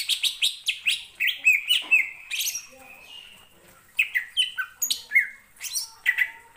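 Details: Greater green leafbird, a capable mimic, singing in reaction to another bird's song: rapid series of sharp, high chattering notes and short whistled slurs, pausing briefly midway.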